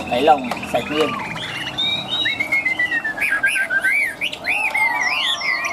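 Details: Tame Chinese hwamei singing freely with a very loud, ringing voice: rapid rising and falling whistled slurs and arched notes, some scratchy notes at the start.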